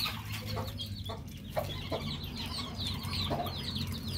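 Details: Male whistling duck (belibis jantan) used as a lure gives rapid, thin whistled notes repeated in quick overlapping bursts over a steady low rumble and a few sharp knocks.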